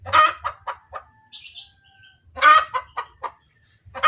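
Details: ['Hen cackling after laying an egg: loud harsh broadband squawks with a rapid series of shorter clucks trailing off, in two bursts about two seconds apart, with faint chirps between.']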